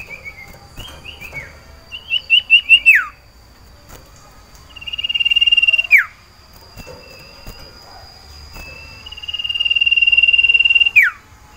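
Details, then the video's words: Caged common iora, the sirtu, in breeding condition and calling for a female to mate: a short whistled phrase, a triple-note burst, then two long steady pulsed trills, each ending in a steep downward slur. "Lantunan Sirtu Birahi Mencari Lawan Betina Cipow"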